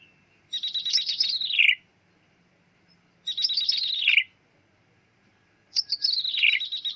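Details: Bar-winged prinia lure call used for bird trapping, known locally as ciblek meong: a buzzy, mewing high phrase sliding downward at the end, given three times with pauses of about a second between bursts, clean background.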